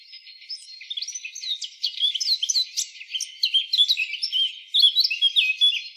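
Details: Eurasian blackcap recorded free in the wild: a busy, jumbled warbling song of quick high notes and short slurred whistles, building in volume toward the end.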